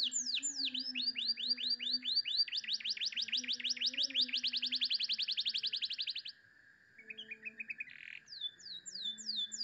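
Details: Canary master song for training, in the clear-voiced luxurious cengkok style: long rolling trills of rapid whistled notes speeding up, a short pause, then sweeping slurs, over a steady faint hum and low tones.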